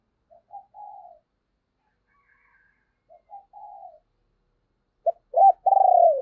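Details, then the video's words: Cooing decoy spotted dove, calling so that others answer: two soft phrases, each a brief note and a longer wavering coo, then a loud burst of arched coos and a long falling one. "Chim Cu Mồi Thúc Và Gáy Gọi Kích Bổi Nhanh Gáy"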